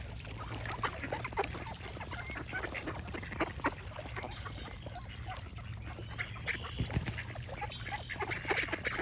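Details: Quacking duck heard in short, rough bursts scattered through a busy, crackling background of many other small bird calls and general rustle.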